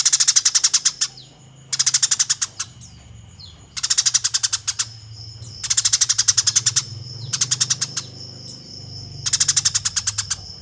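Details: Eurasian tree sparrow fighting calls, a master for competition birds: repeated bouts of rapid, raspy chirping, each about a second long, spaced by short gaps, with a steady high whine and a low hum in the background.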